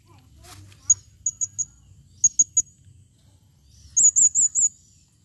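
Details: Calling female blue-crowned hanging parrot, recorded 2021: short sharp high ticks in groups of three, then a burst of four shrill, quavering notes near the end; low rumble faintly underneath.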